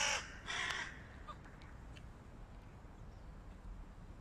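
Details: A pair of short, harsh caws opens the recording of a flock of hooded crows against a stray cat, then fades into quiet background noise.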